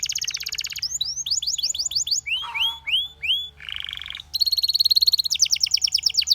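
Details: A Belgian canary sings quick shifting tours: a buzzy trill, a run of repeated downslurred whistles, a lower rolling phrase, then fast high trills.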